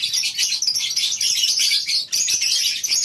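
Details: Lovebirds in the morning in a colony aviary at a breeding farm, many birds chattering at once in a dense, shrill, high-pitched twitter that barely pauses, with one short dip near the two-second mark.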